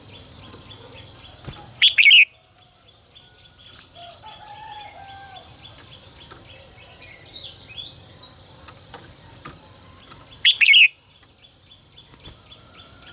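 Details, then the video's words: Red-whiskered bulbul tutor song for voice training: two brief, sharp warbled bursts roughly nine seconds apart over a quiet background with faint distant chirps and a soft whistle between them. "Luyện giọng cho chào mào hót hay"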